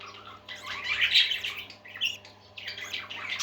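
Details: Pet parakeets chattering together indoors, a dense continuous warble of scratchy, buzzy chirps and squeaks that swells in the middle, fades briefly, then rises again, with a low steady hum underneath.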